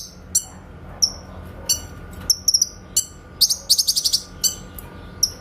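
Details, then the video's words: Grey-cheeked bulbul in rapid 'tembakan' style for training caged songbirds: spaced high slurred chirps build into a fast staccato volley of about eight piercing notes, then single chirps again. "MASTERAN BURUNG CUCAK KINOY SUARA TEMBAKAN JERNIH"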